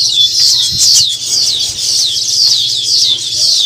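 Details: Baya weavers around their newly built nests chatter without pause: many high, thin, overlapping chirps and wheezy notes, about two a second, from several birds calling together.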